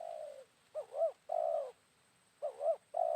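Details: Wild spotted dove responding to a decoy during a midday trapping outing. The end of a purring coo leads into a phrase of two looping notes and a long rolling coo, then a second phrase begins.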